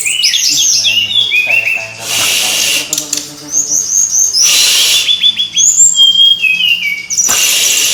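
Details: Brown-chested jungle flycatcher song used as a lure: high whistled phrases and buzzy trills are interrupted by several loud broadband rustling bursts, over a steady low hum.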